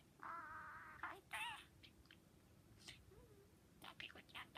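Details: Pet budgerigar talking in Japanese while playing a look-that-way game: a thin, buzzy voice wavering through quick speech-like syllables, with short whistled notes between bursts.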